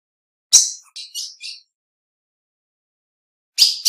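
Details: High, piercing chips from a female ultramarine grosbeak: one loud chip, then three softer ones close together, a long gap, and another loud chip at the end.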